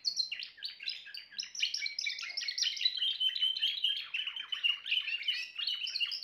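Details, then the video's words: Timbrado canary producing a lively, continuous warble of sharp descending chirps and rapid trills, high-pitched and rhythmic, in a quiet setting. "meilleur chant canari l chant canari timbrado"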